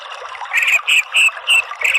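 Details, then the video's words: Orange-headed thrush, local name anis merah, song in ngeriwik and ngeplong styles, aimed at stimulating a kept bird. It comes as loud, clear whistled notes repeated about every third of a second over faint high chatter. "BUNYI ANIS MERAH spontan NYAUT NGERIWIK NGEPLONG"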